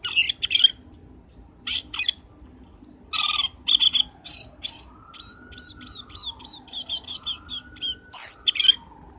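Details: Black-winged starling trapping lure: harsh scratchy bursts and high whistles, then a rapid string of short squeaky notes, with a long soft low tone sliding up and down underneath.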